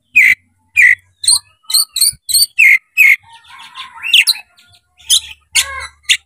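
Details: Oriental magpie-robin (kacer) with tail opened, singing to draw an opponent into a fight: clear whistled notes about every half second, then a softer warbling, scratchy passage and more loud notes.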